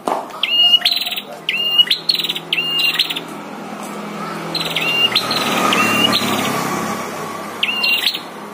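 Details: Prinias, a caged bird and a wild bird in a fierce fight, trade high calls: short clear whistles, each running into a fast buzzy rattle, in several bursts across the clip over a low steady hum.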